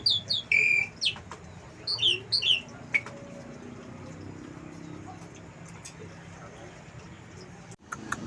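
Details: Asian pied starling kept by a house terrace, singing with wild-bird material: a few sharp chirps and short slurred whistles in the first three seconds, then faint background hiss.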